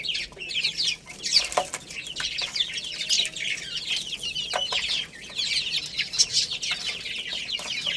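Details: Young chicken chicks, playing and eating, give a continuous stream of thin, falling cheeps from many birds, somewhat softer, with a few sharp knocks.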